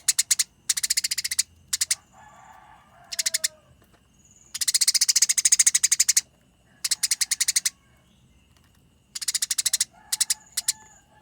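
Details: Eurasian tree sparrow in a fight: repeated bursts of quick, piercing chirps in dense runs, stopping and restarting, with a few softer lower twittering sounds in the gaps.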